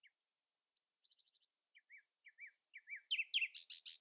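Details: Common nightingale singing early in the morning to keep rivals quieter: a high tick and a fast fine trill, then repeated rising-falling whistled notes that accelerate into a loud, harsh series of rapid strokes.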